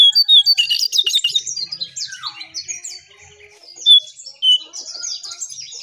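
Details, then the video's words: Striped tit-babbler, known locally as jongkangan, in a sought-after lure recording: rapid chattering song of sharp, high, downslurred notes and twittering bursts, one lower falling slur midway, then a brief pause before two loud piercing whistles. "𝙋𝙖𝙣𝙘𝙞𝙣𝙜𝙖𝙣 𝙟𝙤𝙣𝙜𝙠𝙖𝙣𝙜𝙖𝙣 𝙥𝙖𝙡𝙞𝙣𝙜 𝙙𝙞𝙘𝙖𝙧𝙞"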